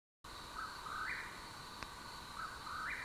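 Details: A Mexican whip-poor-will singing in the Santa Catalina Range, Arizona, on July 24, 2016, gives two burry, rolling phrases that climb at the end, about two seconds apart, over a steady high insect drone.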